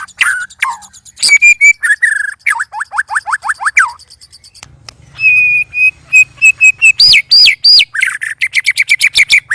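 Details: Three white-rumped shamas in a sparring session, uttering loud, odd sounds: varied whistles, a run of descending slurred notes, a sustained steady whistle, then fast chattering and high looping whistles.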